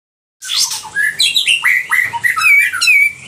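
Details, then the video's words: Sooty-headed bulbul in full song, described as loud and harsh: a quick run of clear whistled notes, many slurring downward, bright and fluty, with a few sharper squeaky phrases near the end. "Suara nyaring dan kasar kapas tembak gacor"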